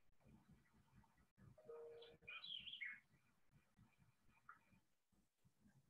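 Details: A White-eyed Vireo (Vireo griseus) sings one quick, emphatic phrase of sharp, slurred notes, remembered as 'eat your cheerios quick', over a low background hum.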